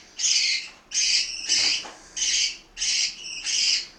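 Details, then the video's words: Domestic parakeets at mealtime in Itaim Paulista, São Paulo, Brazil, giving six harsh, grating squawks in quick succession, each about half a second long with short gaps between. "Periquitos do Itaim Paulista - SP - Hora da refeição"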